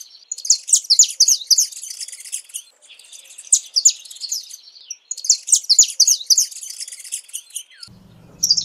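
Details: Saffron finch song in three dense bursts of rapid high chirping and twittering, each about two seconds long, separated by short pauses; low hum near the end.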